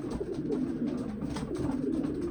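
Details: Male racing homer pigeons in an indoor loft, settling into nest boxes during mating season, give low soft rolling coos that overlap in a steady murmur, with faint rustling in the small room.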